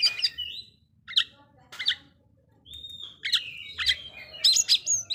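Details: Oriental magpie-robin song aimed at provoking others, spaced sharp notes and short slurred whistles, a long steady whistle, then clustered bright chirps.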